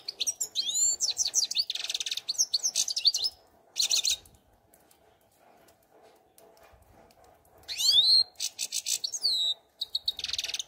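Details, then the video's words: European goldfinch singing in separated bursts of fast, bright twittering and rising-falling tinkling notes, broken by short pauses of near silence between phrases. "Щегол Пение"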